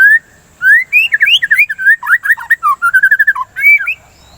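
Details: White-rumped shama song played to stimulate singing: a rapid run of loud whistled notes sweeping between low and high, many slurred and rising, in quick phrases with a short pause near the end.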